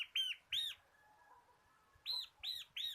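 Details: Bar-winged prinia of the local kristal kapas type, a lively singer in the ngebren style used to train cage birds. Two loud arched chip notes, a pause, then three more evenly spaced, bright and ringing.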